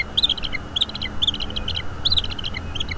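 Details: Bald eagle eaglet calling while its mother feeds it squirrel at a nest-camera site in Northeast Florida, evening of 5 May 2021; short high chittering bursts in clusters about every half second over a low steady hum.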